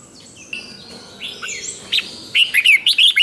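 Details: Red-whiskered bulbul singing in the competitive 'hót đấu' and 'ché' styles, used to provoke rival singing and train the voice: faint high notes at first, then loud slurred whistled phrases repeated rapidly over the last second.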